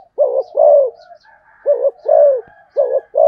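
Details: Three short-long pairs of deep, resonant coos from a spotted dove, fast cooing, with soft murmured sounds filling the gaps between pairs.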